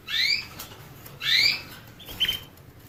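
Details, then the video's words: Canary voice: two loud rising whistled notes about a second apart, then a shorter, flatter chirp, each note carrying a strong harmonic above it, against quiet hiss. "the basics of canary birds' singing"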